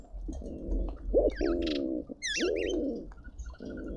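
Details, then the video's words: Speckled pigeon courting briefly while feeding in a Pretoria garden, South Africa; low, grating coos in bursts of about a second, overlapped by high, wavering whistles from other garden birds. "Speckled Pigeon call - Quickie Courtship flirting break between eating"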